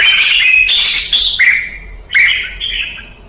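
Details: Kept red-whiskered bulbul in Vietnam during ché song training. It pours out loud, tumbling whistled notes almost without a break, with one short dip before a fresh bubbly phrase that trails off.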